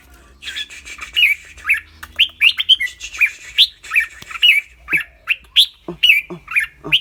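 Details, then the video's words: Clear-voiced caged red-whiskered bulbul sings and chatters rik-rik. Lively, bright whistled notes come about two per second, each slurring up and down, with faint low sounds under some notes. "นกกรงหัวจุก เจ้าขวัญโชค เสียงใส ๆ ทั้งร้องทั้งริกๆสะใจๆครับ"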